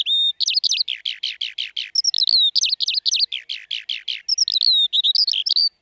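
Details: Singing Eurasian skylark (Alauda arvensis) over fields or open land in spring: continuous high song of rapid trilled runs and buzzy slurred notes, interspersed with clear whistles, pouring out without pause.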